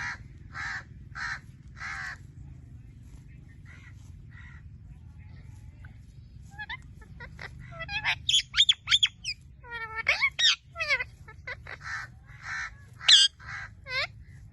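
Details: Blue-fronted amazon parrot with a few clipped squawks at first, then a varied burst of sharp whistles, sweeping chirps and harsh squawks in irregular clusters over faint low rumble.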